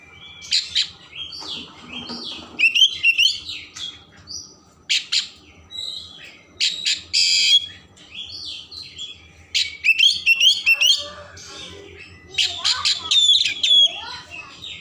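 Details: Energetic Oriental magpie-robin song with varied filler content, played to provoke emotion and tail opening. Dense run of high whistles, harsh buzzy notes, trills and chatters, briefly pausing, about 140 notes a minute.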